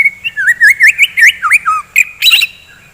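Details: White-rumped shama singing in the morning to rouse fighter birds: a quick run of clear whistled notes, each sweeping up and down, then a harsh scratchy burst and a long high thin tone at the end.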